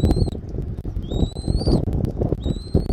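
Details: Eagle at a nest in Southwest Florida, afternoon of 13 January 2024: three thin, high whistles, each gliding slightly upward and lasting about half a second, over constant low rumbling wind noise.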